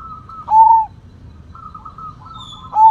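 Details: Big-voiced Sumbawa zebra dove: a single loud, clear, falling coo, then a soft trilled run that ends as another strong coo begins, with low background hum.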